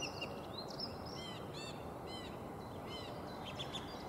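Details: A song thrush in Beverwijk, the Netherlands, in 2018 sings the same clear, fluty phrase three or four times in a row, about half a second apart, over steady low wind or traffic rumble.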